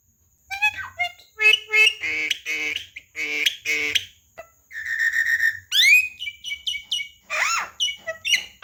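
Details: Javan myna, a talking bird, in a lively training song: harmonic speech-like syllables in short bursts, then sharp whistles, a steady buzzy note and rising and falling whistled sweeps, with brief gaps between phrases.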